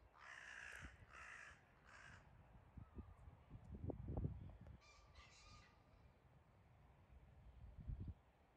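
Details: Crows mobbing a wildcat, recorded 9 May 2022: three loud, harsh caws in quick succession open the scene, followed by two more rasping caws a few seconds later over low rumbling background noise.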